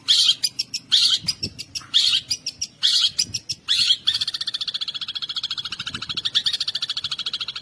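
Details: Champion contest long-tailed shrike in full mimicry song with 'shot' variations used to goad rival birds into singing: loud harsh chattering bursts about once a second, then a fast, even, rattling trill that carries to the end.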